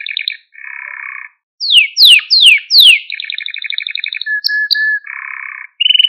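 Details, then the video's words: Canary singing to train and excite young canaries, mixing short trilled phrases and low rattles with four loud steep downward sweeps, then a rapid rolling tour and a flat whistled note. "Kanarya Sesi Ötüş Eğitimi | Kanarya Ötüşü eğitimi | Kanarya Kızıştırma ve Huylandırma"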